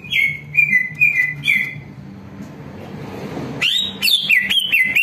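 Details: Greater green leafbird song, loud, clear whistled phrases slurring down then rising, in quick bursts with short pauses over a low hum; used as a warm-up lure so other leafbirds respond, answer and sing, and as home tutor audio.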